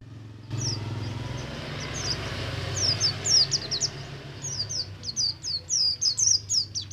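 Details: Oriental white-eye of the Buxtomi type singing in the ngalas style, used to make group-kept white-eyes start singing quickly; a low hum at first, then rapid high thin down-slurred chirps in quick bursts from about three seconds on.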